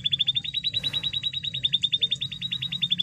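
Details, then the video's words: Canary lure song to coax a rarely singing canary: a very fast, steady trill of pulsed high notes, about ten per second, running through the whole stretch. "Pancingan Emosi Kenari Supaya Gacor"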